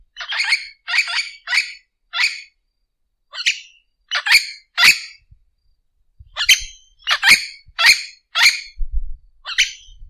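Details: Repeated loud, raspy squawks and chattering phrases from an orange-winged amazon, delivered in quick series separated by short gaps, with a few faint low knocks near the end.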